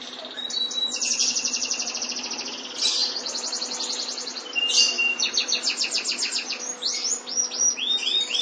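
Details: A white canary sings a long, varied song of rapid, high trills and rolling repeated notes, switching between several distinct trill types.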